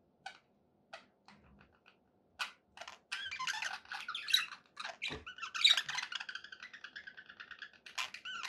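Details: Happy pet budgerigars: a few isolated clicks and ticks, then a steady stream of soft, twittering warble with squeaky whistled notes, over a quiet low indoor hum.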